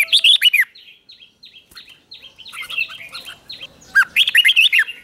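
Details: Morning training of a red-whiskered bulbul in fighting song to spur wild-caught birds: a rich, rapid warbled phrase opens and closes the passage, with a run of thin, evenly repeated descending whistles from other birds in between.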